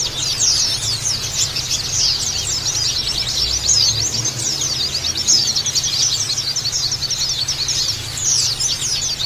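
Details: Dense Oriental white-eye chorus intended as therapy for kept birds to trill harshly and open their beaks; continuous rapid high chirping from many birds, fluttering and overlapping, with a soft background hum.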